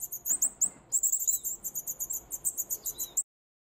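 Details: Hand-fed baby wild birds at a bird care centre, late summer 2023, begging for food; a fast run of very high, thin, piercing chirps, roughly five or six per second, ending abruptly in silence.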